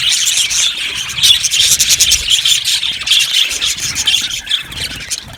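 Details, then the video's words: Many budgerigars chatter in a colony aviary: busy, high warbling and chirping with sharp clicky squeaks, loudest in the middle and fading slightly toward the end. "Budgies chirping sounds"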